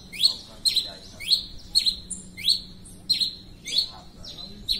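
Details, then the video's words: Red-crested finch singing persistently: a steady series of high, sharp downslurred chirps, about two per second, each with a brief ringing upper note, over faint low background hum. "Tico tico rei cinza cantando muito"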